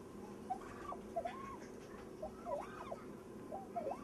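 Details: Turkey calling: short arched, yelping notes rising and falling, given in small clusters about a second apart over a steady low background hum.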